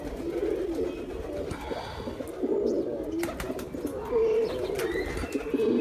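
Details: Male pigeon cooing, a low soft murmur that runs on almost without a break, with a few faint higher chirps above it.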